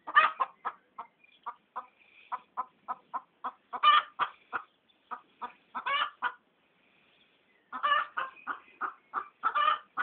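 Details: Pekin duck laughing at a person: rapid runs of short, harsh, nasal quacks, about four a second, sometimes slowing, grouped in bursts with a silent pause near the middle, then a louder closing run.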